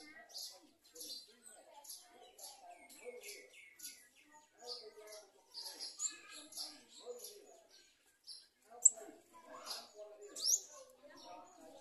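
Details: Garden sunbird feeding its young while locusts threaten the chick: sharp, high chirps and short tweets repeated irregularly through the clip, with lower murmuring sounds and rustling underneath.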